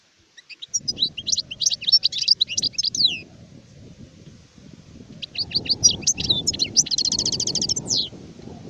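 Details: Adult European goldfinch (sharif) singing two long twittering phrases of dense, tinkling notes and buzzy trills, separated by a brief pause, over a low background murmur.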